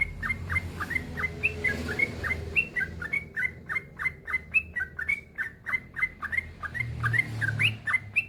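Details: Continuous long-run song of a yellow-vented bulbul ('gacor ropel panjang'), used for training other bulbuls to sing. A dense stream of fluty, bubbling notes runs rapidly without a break over a low background rumble.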